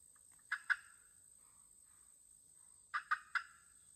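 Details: Local hens clucking: two sharp notes, a quiet gap with a faint soft murmur, then three more sharp clucks in quick succession.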